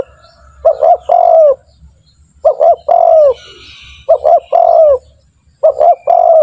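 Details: Spotted dove phrase played to coax other doves into calling quickly: four rounds of two short notes then a drawn-out falling coo, steady rhythm, faint high twittering of another bird once.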